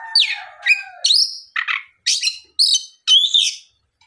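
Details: Afternoon song of an Oriental magpie-robin, used to provoke others of its kind to sing; whistled upslurs and scratchy notes given in short phrases about every half second.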